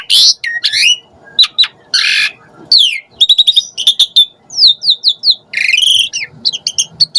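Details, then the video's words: Asian pied starling sounds used as a lure so starlings sing constantly; harsh raspy squawks mixed with sharp clicks, rapid chirps and sliding whistles, loud and busy throughout. "Suara Jalak Suren Auto NYAUT Emosi Cepat RESPON Buat Pancingan Burung Jalak Agar Gacor"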